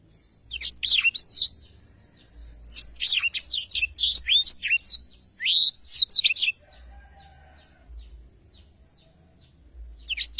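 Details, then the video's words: A black-throated canary sings lively for training other songbirds: three long, dense phrases of fast high chirps and slurred whistles separated by short pauses, then a quiet stretch before a final note. "blacktroath gacor cocok untuk masteran"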